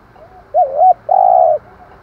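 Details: Spotted dove cooing as a decoy call to lure wild birds: two short arched coo notes, then a longer, steady, slightly buzzy held coo, clean with no other sounds.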